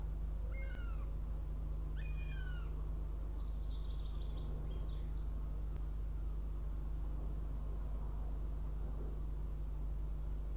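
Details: Northern goshawk hawklet arriving at its nest for breakfast near Riga, Latvia, on 23 June 2017 at 06:14, captured by a nest live stream. Two loud, harsh, downslurred squealing cries come early, then faint high chatter from another bird over a steady low hum.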